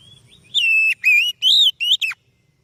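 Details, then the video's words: Oriental magpie-robin (kacer) song meant to lure or train other birds: five loud whistled notes in quick succession, wavering and arching, the last one dropping steeply, then quiet. "Suara Burung Kacer Yang Sangat Indah,Cocok untuk Pancingan"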